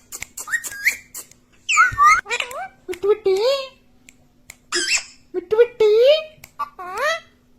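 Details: Talking parrot mimicking speech, saying words such as "mummy" and "mitthu": a series of short, bent, whistle-like syllables with rising and falling tones, in bursts separated by brief pauses, recorded indoors.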